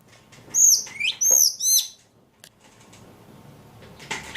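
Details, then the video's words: A lively ledekan bird producing two loud high whistled phrases with sliding, sweeping notes, followed by near silence, one soft click and a final short chirp. "Burung ledekan paling gacor"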